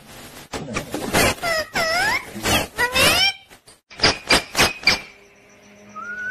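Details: Pet parrot chattering in a dense run of speech-like syllables with curving, swooping harmonics, then several sharp, rhythmic bursts and a soft rising whistle at the end over a faint steady hum.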